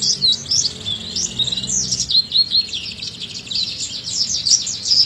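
An Oriental white-eye gives a fast, high, twittering song of thin chirps and trills that runs on without a break, with a faint low hum early on.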